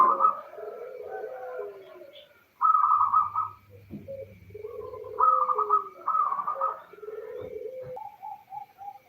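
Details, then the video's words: Zebra dove female, local type, calling the male as a lure to make males answer: repeated rolling coo phrases overlap lower, mellow cooing, with short gaps between bursts. "Suara burung perkutut lokal betina memanggil jantan"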